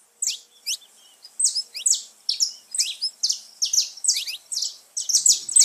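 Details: High, sharp saffron finch notes, each with a quick downward slur, repeated in a steady chattering series, played to excite pet birds into singing.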